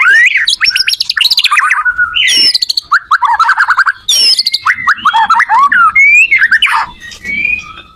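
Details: White-rumped shama song for training other shamas: dense, rapid phrases of high twittering notes and fast buzzy trills, broken by short pauses, very lively and varied throughout.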